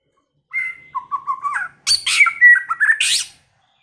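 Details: White-rumped shama in its first season, singing with many voices: a clear whistled note, then a run of lower fluted notes, then harsh broadband bursts mixed with sliding whistles and a buzzy high ending, against a silent background.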